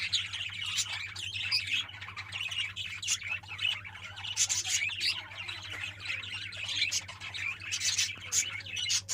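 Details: A budgerigar flock in a newly set-up colony in Balangir, recorded 23 July 2022, keeps up constant chatter of sharp chirps, squawks and scratchy warbles.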